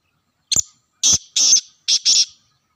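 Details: Black francolin in Sindh, Pakistan; a short harsh clicking note followed by a series of grating, buzzy bursts, each about a quarter second long, given in pairs against a silent background.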